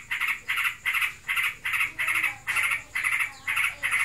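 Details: Yellow-vented bulbul, a kept bird in breeding condition giving its 'ngebren' chatter: short buzzy rattling bursts, about two each second, evenly paced and mid-pitched, over a constant background hiss.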